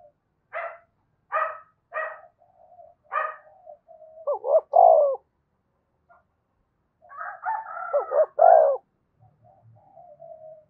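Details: Spotted dove from Đồng Nai calling to stir up doves: four short clipped notes spaced about half a second apart lead into deep wavering coos, then a rolling, throaty phrase ends in a strong coo.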